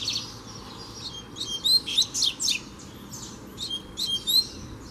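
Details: A loose double-collared seedeater challenging a caged rival, fighting-spirit training. Rapid phrases of sweet whistled notes and downslurred chips are delivered in quick bursts, about four notes per second, over a low background hum.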